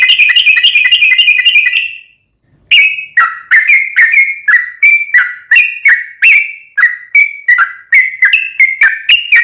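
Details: Sooty-headed bulbul singing long ropel-style gacor song, used to prompt a kept bulbul to sing back: a fast rattling trill, a short silence, then a steady string of sharp whistled notes roughly three per second.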